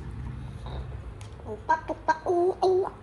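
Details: Two pet parrots, a grey parrot and an Amazon parrot, filmed 28 February 2023 at one year nine months old, playing on the floor while talking and scolding: quick squawky syllables, then two drawn-out nasal, wavering notes, with quiet human speech at the start.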